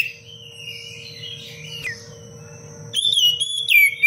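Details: Oriental magpie-robin song for masteran, in the dense 'cengkok rapat pedas' style. Soft warbling gives way to near silence, then a loud level whistle sounds with sharp notes at the close, all over a faint hum.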